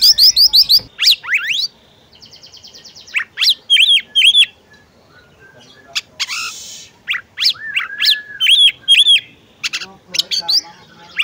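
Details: Oriental magpie-robin female calling a male so he will sing: quick chattering rising notes, a rattling buzzy trill, then repeated arched whistles and sweeps in lively irregular bursts, with a brief noisy crackle midway.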